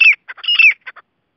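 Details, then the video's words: Grey francolin giving two quick phrases, each a bright high whistle sliding downward amid scratchy, clipped notes, followed by a few short chirps. "Teetar ki awaz"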